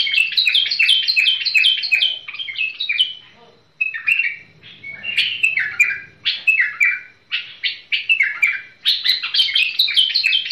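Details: A tamed bulbul's song: a rapid run of falling chattering notes, then short separate warbled phrases, ending in another fast, dense burst.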